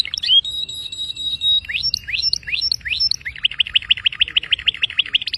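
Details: Canary singing: a brief trill, a long level whistle, several steep upward-sweeping notes, then a quick, regular rolling trill of repeated syllables.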